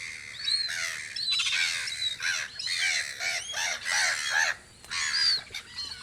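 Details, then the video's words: Loud, close gull squawks on Audru polder in spring, where the gulls keep a guard post: rough, stacked cries in bursts, with piercing high whistles and chirps from other birds between them. "Kajakate vahipost Audru poldril"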